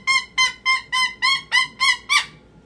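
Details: Eight loud, rasping screams in quick, even succession, about three per second, from a pet cockatoo in a meltdown, the last one the roughest.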